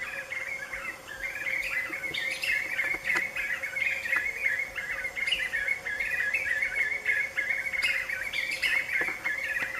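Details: Several Black-fronted nunbirds perched together in late afternoon, making a great deal of noise: a sustained chorus of rolling, repeated notes from many overlapping voices, with occasional sharper accents.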